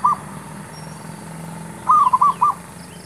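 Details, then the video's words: Male zebra dove used to lure wild birds into a trap. The end of one coo, a quiet gap, then a full bubbling phrase of four or five quick notes, over a low hum. "MEMIKAT MERBUK..ABANG PERGI BERJUANG ...kata BH jantan"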